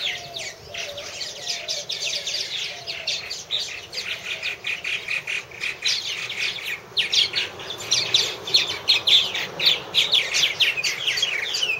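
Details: Colony of purple martins at nest houses giving a steady, busy chorus of chirps and throaty gurgles, overlapping calls growing louder toward the end, with a faint low hum beneath.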